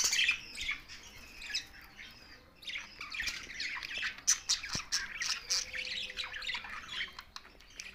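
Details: Pet budgies squawking and chirping in a steady chorus of scratchy high notes, a loud burst at the start, then a quieter pause before the chatter resumes.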